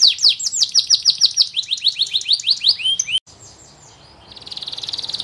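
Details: Canary pouring out a fast series of sharp descending chirps for about three seconds, then a quiet break and a soft, rapid buzzy trill building at the end.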